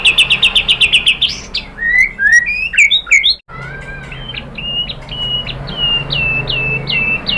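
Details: White-rumped shama song for provoking captive birds to respond: a quick rattled trill, then varied whistled phrases, ending in a steady series of clipped, up-flicked notes repeated at an even pace, with low background hum.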